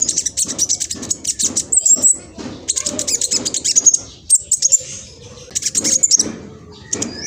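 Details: Fast, scratchy lure song of a young speckled black sunbird from East Java, Indonesia, used to make other black sunbirds sing back. Dense runs of very high, sharp ticking notes pour out in quick bursts with brief pauses.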